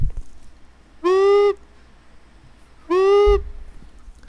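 A Long-eared Owl gives two low, steady hoots, each about half a second long and nearly two seconds apart, against a quiet background.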